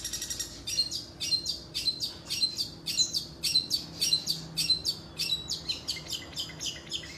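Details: Caged long-tailed shrike singing rapid, sharp, high chirps, repeated almost twice per second in a steady chattering run, over a faint low hum.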